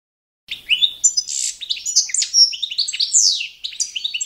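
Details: Competition-standard song of the Balkan goldfinch, Carduelis carduelis balcanica, for training birds: after a brief silence, a dense stream of twittered notes, buzzy slurs and sharp chirps.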